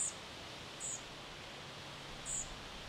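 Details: European Pied Flycatcher fledglings calling in the Finnish summer at Sastamala, 29 June 2025: three short, very high thin notes, faint and spaced about a second apart, over steady soft background hiss.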